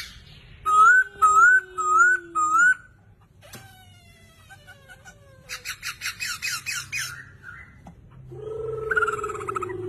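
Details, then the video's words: Chinese hwamei in full song: four repeated rising whistles, then a falling slurred note, soft bubbling notes, a burst of rapid harsh chattering, and a closing loud buzzy phrase with a low sustained tone. "Poksay Hongkong Gacor Dor."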